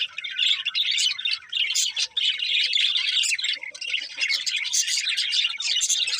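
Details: Happy pet budgerigars singing while eating: a dense, continuous warble of overlapping chirps and buzzy twitters, bright and high-pitched, with brief pauses near two seconds.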